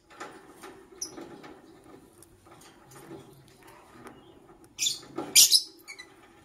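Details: A lovebird chirps in the morning. Faint ticking and rustling come first, then a sudden run of loud, scratchy, high-pitched chirps near the end.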